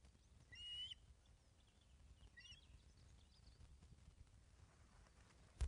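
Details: Osprey at a nest webcam at Loch of the Lowes, Scotland, 19 May 2012 at 10.27am during a fish delivery: a short harsh, ringing chirped call near the start, then a fainter second call about two seconds later, over steady low rumbling background noise.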